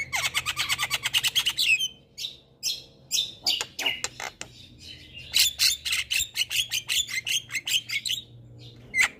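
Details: Javan myna song played as a lure to get lazy birds singing: a fast train of sharp, clicking chips, then a string of harsh, broadband chattering notes mixed with short whistles, sounding almost continuously over a low hum.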